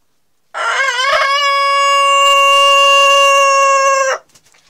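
A Denizli rooster gives a single long crow: a brief rising start, then a steady, ringing note held for about three seconds before it cuts off sharply.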